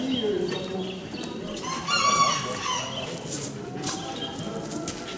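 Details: At a 2015 national poultry show, a Gallic rooster gives one long, harmonic crow midway. Crowd chatter, clucking and other birds fill the background.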